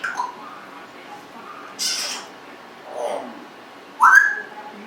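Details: Congo African grey parrot, 1.5 years old, a pet that loves to burp and talk: sparse sounds, a short harsh squawk, a soft low burst, then a bright rising whistle near the end over quiet room noise.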